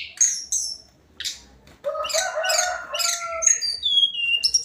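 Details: Tledekan Gunung, the hill blue flycatcher, in its daily song: harsh high chips, then a rich mixed phrase with lower warbled notes, finishing in descending clear whistles and a high note.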